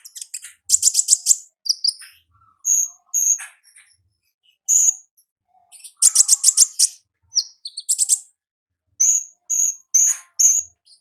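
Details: Wild olive-backed sunbird giving ngalas song: bursts of rapid, very high, sharp chips in quick series, broken by short pauses and single thin whistled notes, loud and close, no other sounds.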